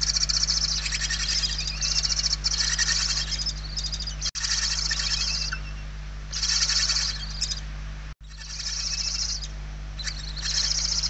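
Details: Barn owl nestlings begging for food in a nest in Spain, 28 November 2023, one chick very weak: a series of harsh snoring hisses, each lasting one to two seconds, with brief gaps and two sharp cut-outs, over a constant hum.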